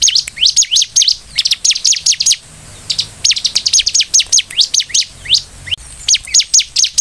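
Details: Bar-winged prinia (ciblek) singing vigorously, used as a lure to provoke other prinias into calling: rapid bursts of sharp, high, down-sweeping chirps, about two per second, in clusters broken by short pauses, with faint low background hum.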